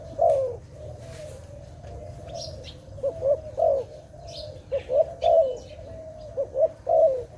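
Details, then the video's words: Dove cooing, tied to bird trapping: low soft coos in short double notes followed by longer falling coos, repeated through the clip over a faint steady hum, with brief high chirps from other birds. "Sound of dove"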